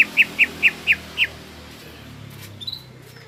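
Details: Greater green leafbird (cucak ijo), a freshly caught 'gropyokan' bird singing actively ('gacor'): six short, bright chirped notes repeated about every quarter second, then a faint higher note, over a low background hum.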